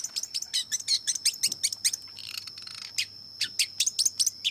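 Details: Long-tailed shrike singing a fast series of sharp, scratchy chattering notes, several per second, pausing briefly for a harsh noisy burst midway before resuming; a steady high-pitched whine runs underneath throughout.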